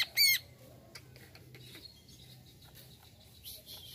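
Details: Greater green leafbird gives one short, loud burst of rapid, high, warbled notes near the start, then only faint scattered chirps and a soft hiss; this sound is said to make the species react at once.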